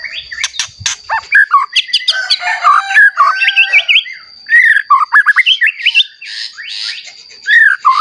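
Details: Caged white-rumped shama (murai batu), a vocal male used to provoke other shamas into singing, delivering a rich varied song of loud whistled phrases, rapid slurred notes and sharp clicks, with a steady faint high tone throughout.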